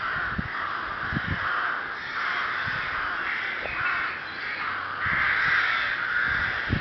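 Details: Harsh, grating caws from a crowd of rooks in Chrudim's Ptačí ostrovy nature monument, Czech Republic, on 30 May 2011; overlapping calls form a steady din, swelling louder near the end, with faint low knocks beneath.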